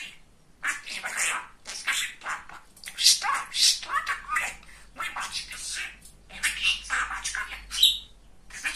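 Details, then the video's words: A funny, talkative male budgerigar kept at home babbles in rapid, warbling, raspy phrases, rising and falling in loudness, with a faint low hum in the room. "Говорящий попугай"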